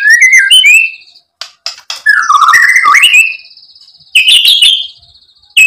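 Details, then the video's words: White-rumped shama singing to stir another bird: fast, high, varied whistles and trills, with a sustained high note and short pauses. "PANCINGAN MURAI BATU biar EMOSI jadi NYAUT BUNYI GACOR BONGKAR ISIAN"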